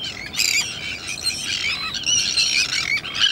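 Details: Sandwich terns at their breeding colony, Salins d'Hyères, France, late in the nesting season; loud tangle of grating, squealing calls from many birds at once, shrill and unbroken across the short stretch.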